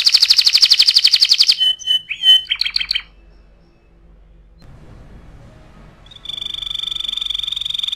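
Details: A canary's tutoring song: a fast, high pulsed trill, a few broken chirps, a quiet gap, then a long, steady, pure whistled tone.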